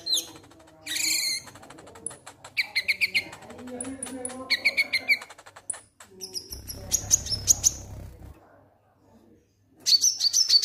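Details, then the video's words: Konin lovebird 'ngek ngek' calling, played to prompt singing: rapid clicking chirps and harsh high notes in uneven bursts, with a low rumbling noise patch midway and a final flurry of shrill chirps. "Konin Ngek Ngek Ampuh Pancing Bunyi"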